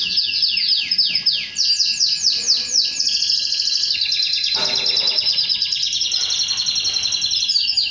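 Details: Canary singing to its female before mating: quick series of descending whistled sweeps, followed by a long, rich rattling trill held at high pitch.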